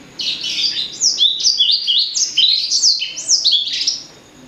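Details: Hybrid blacksang, bred from blackthroat and sanger, delivering a bright fast song: a dense string of high descending whistled slurs and buzzy notes, each about a third of a second, repeated steadily for four seconds.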